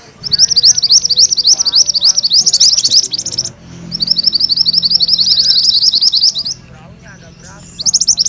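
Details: Mantenan kuning delivering a vigorous rolling song: long runs of quick, high, sharply clipped notes at a constant pitch, with a short break midway, a quieter pause near the end, and a final burst.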